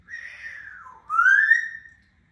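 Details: Grey parrot whistling indoors: a long, pure whistle that dips downward, then slides back up into a louder, sustained rising note.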